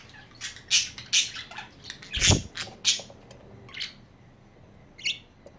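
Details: Budgerigar chatter with harsh, broadband squawks roughly every half second, one coinciding with a dull thump, then softer chirps trailing off toward the end.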